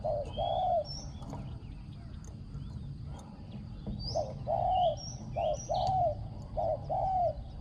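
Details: Spotted dove kept as a decoy for luring on the ground, said to coo very well: series of low hooted phrases, pairs of short notes running into longer coos, with scattered high chirps from other birds.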